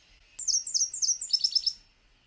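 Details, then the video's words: Nashville Warbler, a breeder of the northern U.S. and Canada, sings its two-part "sip, sip, sip, tea, tea, tea" song: four high, sweet, down-slurred notes, then a quicker, lower trill of three to four notes, in about 1.5 seconds. "Do you hear how it changed tune halfway through its song? Sip, sip, sip, sip, tea, tea, tea."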